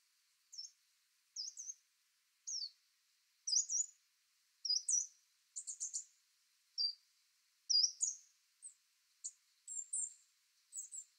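Coal Tit giving thin, high squeaky calls, short notes in ones, twos and small bursts roughly every second, against a quiet background.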